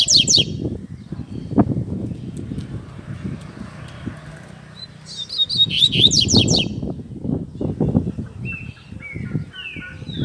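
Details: Caged Double-collared seedeater singing the Tui Tui Zel Zel song style used to train young birds. Bright buzzy rapid phrases come in short bursts near the start and middle, over loud low rumbling background noise.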